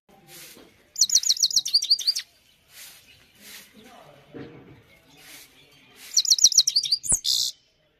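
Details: Two bursts of quick, high twittering from a Himalayan goldfinch, each about a second long, separated by quieter pauses with faint low sounds and a sharp click near the end.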